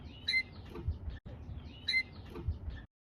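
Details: A captive-bred Northern (Siberian) bullfinch in a small show cage gives two short, deep, trumpet-like piping notes about one and a half seconds apart, deeper than the native bullfinch, over a low room rumble.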